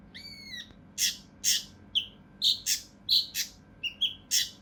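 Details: Tutor recording of a mountain leaf warbler's harsh, dense song for competition birds: opens with a clear, level whistled note, then a string of rasping broadband bursts and high chirps at uneven intervals.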